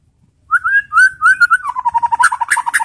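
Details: White-rumped shama pancingan song used to goad other shamas to reply: smooth fluted whistles that break into a rapid, even stutter of repeated clipped notes, with harsher chatter joining at the end.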